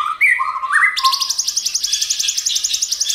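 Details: White-rumped shama with a many-voiced song to prompt other shamas: rising whistled notes leading into a fast, high buzzy trill repeated steadily.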